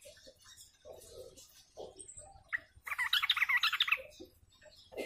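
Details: Sooty-headed bulbuls in a flock, a recording used as a bird lure: faint scattered notes give way to a loud burst of rapid, harsh chattering notes for about a second, then quieter calls.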